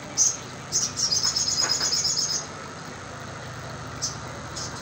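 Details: Crimson sunbird lure recording: two sharp, very high chirps, then a rapid high trill of thin buzzy notes lasting about a second and a half, followed by quiet hiss and one more faint chirp.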